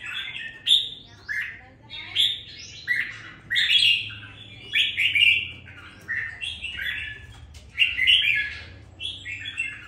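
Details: Red-whiskered bulbul bought on appearance and kept caged two weeks, now singing with some fire: a steady string of bright, bubbling warbled phrases, about ten bursts with brief gaps, over low background hum.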